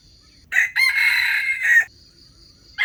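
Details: Crow of a wild chicken played as bait for trapping wild chickens: a brief first note, then a long strained rasping stretch ending in a louder note, followed by a quiet insect drone and the start of another crow.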